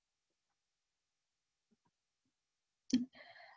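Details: Near silence for almost three seconds, then a sharp click followed by a short breathy voice-like sound.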